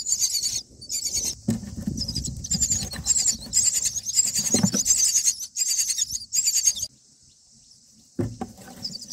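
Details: Feeding time at a common myna nest, day nine: chicks give loud, scratchy high begging squeals in choppy bursts, stopping abruptly near the end, with soft low bumps from the nest.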